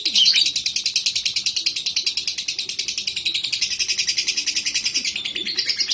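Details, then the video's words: Lovebird in breeding condition in an unbroken high-pitched chatter, a harsh rattling run of quick notes at a steady pace that lasts throughout. "CARA PANCING LOVEBIRD BIRAHI TES LATAH FIGHTER BURUNG LOVEBIRD"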